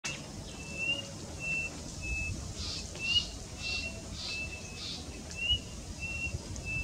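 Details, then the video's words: White-starred Robin singing at the Giraffe Centre in Nairobi: a series of short, clear whistled notes at a steady high pitch, repeated about every half second, over a constant background hiss and low rumble. "White-starred Robin singing"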